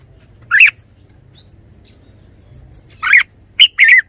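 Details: Red-whiskered bulbul singing: a short bubbly warbled note, then after a pause a quick burst of three rich, slurred phrases around the mid-high range, over a faint low hum.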